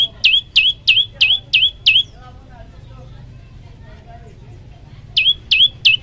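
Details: Lively tailorbird song with six loud, high, hooked chip notes at about three per second, then a pause of three seconds with faint background sound, then three more identical notes resuming the series.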